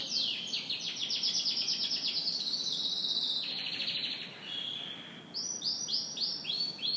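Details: Morning song of a canary, opening with fast rattling trills that slide downward, then a long level whistle, closing with a quick series of rolling repeated notes.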